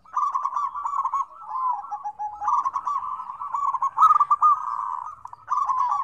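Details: A lively chorus of zebra doves, mixed to prompt hard-to-start doves into calling. Quick stammering coos form several rolling phrases separated by short dips, ending with a final loud burst.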